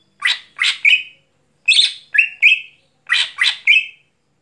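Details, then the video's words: Greater green leafbird singing at night: three matching phrases, each two scratchy chattering notes and a clear flat whistle, repeated about every one and a half seconds. "Cucak Hijau Gacor Malam Hari"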